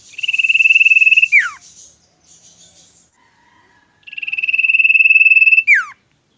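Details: Common iora, a kept songbird, gives two long, loud, rapid trills, each on a steady pitch and each closing with a quick falling slur, separated by a few soft, faint notes.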